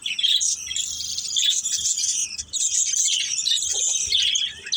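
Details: Budgies from a family group chattering steadily while playing, a sustained high, buzzing warble of run-together chirps with a slight dip in the middle.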